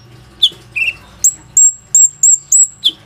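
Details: Plain-throated sunbird singing as a lure for other sunbirds, recorded on an Oppo A37f phone. A couple of slurred chirps, then a series of drawn-out, level, very high whistled notes repeated in quick succession.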